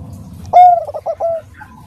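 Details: Bangkok-type zebra dove with a soft voice, a female calling a male with the nutut sound; one rich coo opens and is followed by a short run of rolling, wavering coos at a steady mid pitch.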